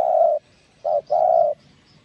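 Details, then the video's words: Spotted dove song in the field-voice style, played to excite other doves into cooing: a long mellow coo, a short clipped coo, then another drawn-out coo, all low and steady in pitch. "Cu Gáy Giọng Đồng Chuẩn GÁY THÚC GÙ Kích Mồi Tập Bổi Ức Chế.Tiếng Cu Kích Trống"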